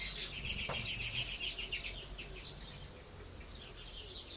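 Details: Lesser kestrels (Falco naumanni) at a breeding center at Levka, Sakar region, Bulgaria, in early July as fledged young fly while parents still feed chicks; several give high, rasping, chattering calls in quick overlapping bursts, with faint background noise.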